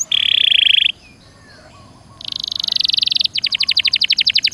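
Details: Canary in full 'gacor dor nembak' song, used as a prompt to get silent canaries singing: a dense buzzy high tour lasting about a second, a short pause, then a fast pulsed roll building in loudness and speeding into crisp repeated notes.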